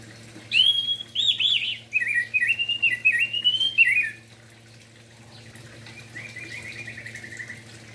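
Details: Orange-headed thrush singing in the morning to stimulate other thrushes: a long run of rapid, varied whistled and trilled notes for about three seconds, then a quieter buzzy trill after a pause.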